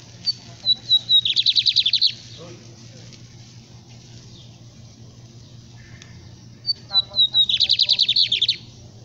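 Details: Two lined seedeater songs several seconds apart, each opening with three or four high, clipped whistles and ending in a fast, buzzy trill of about a dozen notes. Steady low hum sits underneath.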